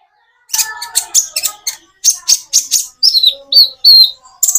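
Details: Common iora song with natural breaks to prompt birds that rarely sing. After a brief silence come rapid high chirp bursts, then clear downslurred whistles and a final quick flurry.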